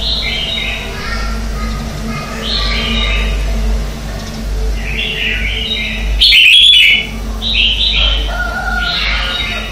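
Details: Competition-style morning song of a red-whiskered bulbul as decoy singing: continuous soft warbled phrases with one loud, sharp, clipped phrase past six seconds, low hum throughout.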